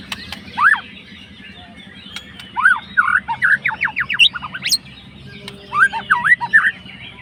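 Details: A murai batu, a fighting white-rumped shama, sings to stir up a rival. Bursts of quick down-slurred whistles and twisting phrases are separated by short quiet gaps, over a constant low-pitched background drone.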